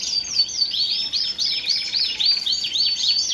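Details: Male Shirazi canary in Baghdad, ready to mate and fluttering its wings, sings a fast, unbroken run of high, bright trills and sweeping warbled notes, phrases rolling one into the next, faint background hiss.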